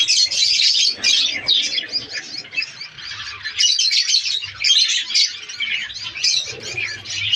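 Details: Many budgerigars in a breeding colony, kept in an aviary during breeding season, chirp and warble in quick overlapping phrases, roughly two bursts a second, with a faint low hum.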